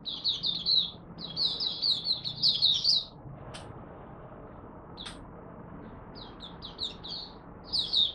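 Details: First daily warm-up song of a kept Malaysian oriental white-eye (mata puteh): dense, high twittering phrases of rapid down-slurred notes, then a quieter stretch with two sharp clicks, before the warbling starts up again.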